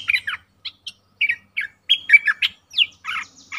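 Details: Streak-eared bulbul giving short separate bursts of chirpy, slurred notes, some rising and some falling, with brief pauses between phrases and an otherwise quiet background.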